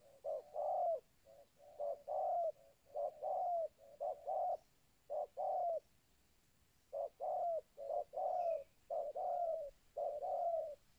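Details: Spotted dove of a local type, "kuk 2" style, recorded as a lure for wild doves: soft, low cooing in paired short-and-long notes, delivered in steady bursts with a brief silent gap midway, against faint background hiss.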